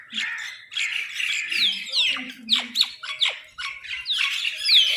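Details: Crow giving a food call: a dense run of harsh, raspy squawks with several sharp downward-sliding notes, calling nearly continuously with brief gaps and a few louder strident peaks near the end.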